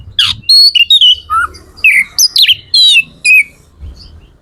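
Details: Kacer or magpie-robin singing to rouse other magpie-robins into song: a varied run of loud whistles, slurred falling notes and short buzzy chips in quick succession, with faint low rumble in the background.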